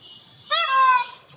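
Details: A single loud, drawn-out wail from a peacock: a sharp onset rising slightly, then a sustained nasal, harmonic note lasting about half a second.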